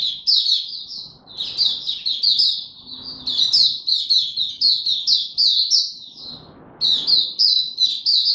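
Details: Caged Oriental white-eye delivering a long, fast, high-pitched twittering warble of slurred chirps, with a couple of short breaks and faint low background noise.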